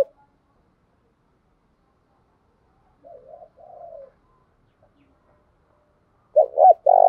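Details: Spotted dove (Spilopelia chinensis) cooing: soft, low, throaty coos in two short bursts, a mellow muffled phrase followed a few seconds later by louder, closer notes. Otherwise quiet.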